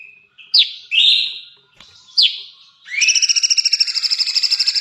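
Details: Sooty-headed bulbul (cucak cungkok) in full trotol-style song: a few slurred whistled notes and sharp upswept chips, then a fast, even trill of buzzy repeated notes pulsing about ten times a second to the end.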